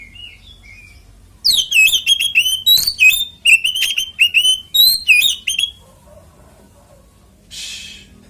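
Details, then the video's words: Kacer, the Oriental magpie-robin, in fighting song meant to lure other males into song: a few soft whistles, then a dense four-second run of loud, clipped whistled notes, ending in silence and a brief hiss. "SUARA BURUNG kacer gacor NGEPLONG TARUNG konslet ini PALING AMPUH buat PANCINGAN KACER cepat GACOR"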